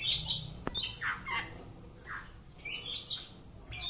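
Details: Caged Oriental magpie-robin giving harsh, rasping notes mixed with high thin whistles, with a sharp click near the start and a noisy room hiss throughout.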